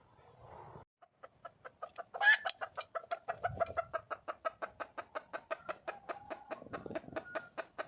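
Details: Wild red junglefowl hen calling for a male: after a noisy opening, a fast run of clipped, nasal clucks starts, about five a second, broken early by one loud harsh squawk, then continuing steady and even to the end.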